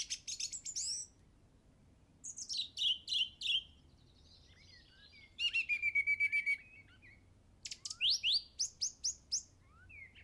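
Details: A songbird recorded at a golf course in England on Easter Saturday 2007 sings quick bursts of high, bright chirps and descending trills in phrases about every two seconds, with a quiet low rumble beneath.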